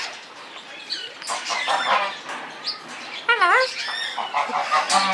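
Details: Talking parrot at Cohune koala park, mimicking speech and saying hello: a series of harsh, harmonic, speech-like phrases, one wavering and swooping near the middle, with people chatting in Spanish in the background.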